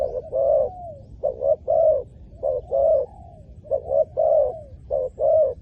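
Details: Spotted dove call used for luring wild doves: repeated phrases of short clipped coos followed by a longer falling coo, several phrases in under six seconds, steady and low-pitched.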